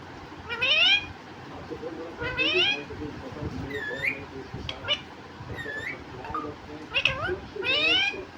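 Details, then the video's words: Pet talking parrot, known for saying "mummy papa", utters scratchy, speech-like phrases in about four bursts spaced roughly two seconds apart, mixed with a couple of thin rising whistles, in a quiet room. "Batooni Tota, mummy papa telking mittu parrot 🦜 bolane wala tota"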